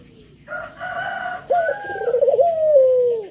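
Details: A male spotted dove gives a lure call to make other birds sing. A harsh, crow-like drawn note comes first, then a quavering coo that holds and slowly sinks in pitch.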